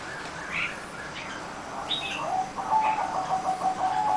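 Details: Zebra dove song of the kind called number 7: soft, low, steady cooing notes run close together in the second half and are repeated many times, over scattered high chirps from other small birds.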